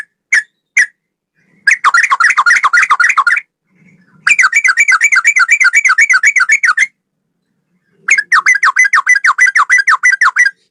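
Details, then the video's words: Male sooty-headed bulbul (trucukan) in long ropel song: two single notes, then three extended bursts of rapid rolling warbled trills, each lasting two to three seconds, separated by short pauses. "Burung trucukan gacor ropel 1 nafas panjang"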